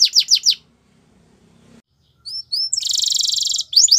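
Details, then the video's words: Song of a canary for singing training. Quick descending trilled notes open it, then a pause with a faint low hum. Two rising whistles follow, then a long buzzy rolling trill and more rapid chirps. "The BEST Canary Sounds!! Canary Training"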